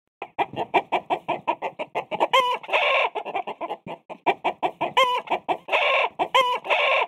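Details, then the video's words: Chickens in a pen cluck in quick, uneven bursts, with several drawn-out, nasal squawks rising and falling between the short clucks. "Chickens in pen Sound Effect"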